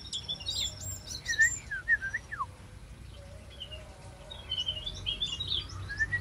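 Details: One of a pair of wild-caught black-naped orioles, now singing actively in a semi-natural aviary, gives a short run of fluty, slurred whistles that dip downward, over steady high chirping and twittering from other small birds.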